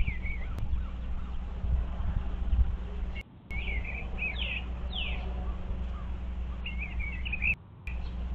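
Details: Eastern bluebirds checking out a birdhouse on 25 February 2023. Soft, gurgling warbles come in several short phrases, with a few falling notes, over a low hum. There are brief cut-outs in the sound.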